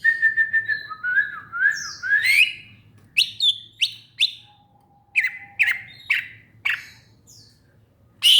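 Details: Greater green leafbird song opening with a rapid run of whistled notes, then strong sweeping chirps at intervals, a long faint low whistle in the middle, and a low hum beneath.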